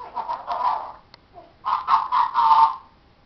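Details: Talking pet parrot in a room: hoarse, nasal speech-like phrases in two bursts, the second ending in a drawn-out tone.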